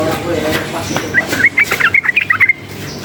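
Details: Sooty-headed bulbul excited by loud noise, singing a fast series of crisp, clear whistled notes, evenly spaced and bouncing up and down in pitch, in the second half of the recording, after faint background murmur.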